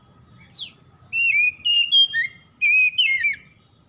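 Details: Oriental magpie-robin singing in the morning dew of dawn: a brief falling note, then loud, clear whistled phrases with sliding and wavering notes in quick bursts, over a faint low background hum.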